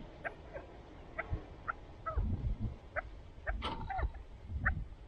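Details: Kept chukar partridges giving brief clucks and a couple of slurred, downward-bending notes, irregularly spaced, over background thumps and rumble.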